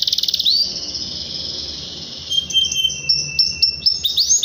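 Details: Canary rolling song used as a lure for young canaries: a rapid pulsed trill, a long drawn high whistle, then short clipped chirps repeated several times, bright and high-pitched.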